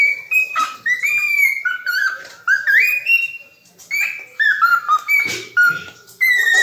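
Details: Cockatiel singing clear whistled phrases, notes sliding up and stepping down in short runs, with brief pauses between phrases and a few soft scratchy sounds.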